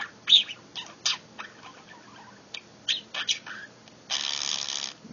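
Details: Pet budgerigar, asked to do its R2-D2 imitation, chatters in scratchy, high clicks and squeaks, ending with a longer raspy buzz.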